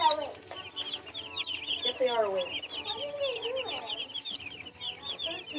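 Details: Baby chicks calling with a continuous stream of high, quick peeps, mixed with lower sliding, wavering sounds and a steady background hum.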